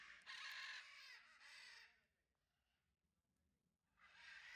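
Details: Captive citron-crested cockatoo at a bird park in Leicestershire, gnawing on wood: a long, harsh, rasping screech lasting nearly two seconds, then quiet, then another grating screech begins.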